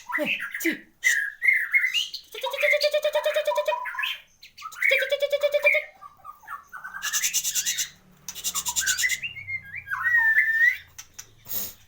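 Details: White-rumped shama, a caged competition bird with a complete repertoire, alternates slurred whistles with repeated bursts of rapid rattling trills and harsh buzzy notes, separated by short pauses.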